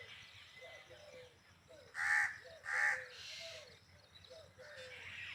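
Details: Peacock with two loud, brassy, harmonic honks in quick succession, over a background of repeated soft dove coos and faint chirping.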